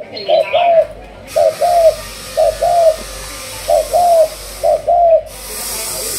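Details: Malaysian spotted dove trained as a decoy bird, of the thúc gù line; five clear two-part coos, a brief note then a drawn-out falling coo, spaced about a second apart, with a hissing background hum.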